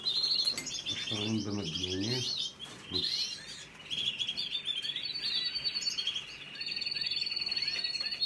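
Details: Canary nestlings being fed give busy high twittering and rattled chirp series; a low rough murmur sounds briefly near the start, then the chicks keep calling steadily.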